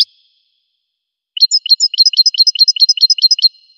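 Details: Goldfinch song: after a second of silence, a fast run of bright, high chirping notes repeated about twice a second in a steady, slightly jumpy trill, each note a quick two-part twitter, on a completely clean, quiet background.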